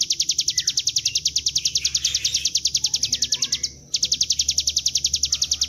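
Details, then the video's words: Bar-winged prinia in rapid, continuous gacor ngebren song used as a lure to draw the bird into singing: high, sharp chirped notes repeated about three and a half times per second, briefly breaking off near the four-second mark before resuming. "Pancingan bunyi CIBLEK GUNUNG dengan suara ciblek gunung GACOR NGEBREN"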